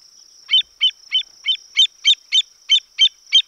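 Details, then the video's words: Western avocet giving a rapid series of ten short, clipped, piping 'kleek' notes, about three per second, each sharp and high, with a thin steady tone running behind them. "Western Avocet Calls"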